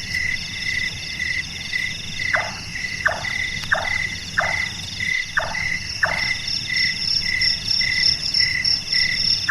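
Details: Large-tailed nightjar, Caprimulgus macrurus, a nocturnal bird known as burung tukang for its carpenter-like voice: a series of about six knocking, downward-sliding notes in the middle of the recording, over a persistent high insect chorus.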